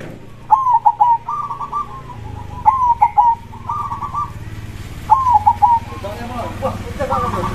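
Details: Zebra dove (perkutut) song in the loud 'dor krosing' style: three phrases of sharp falling notes and rolling trills, two seconds apart, over a steady low background hum.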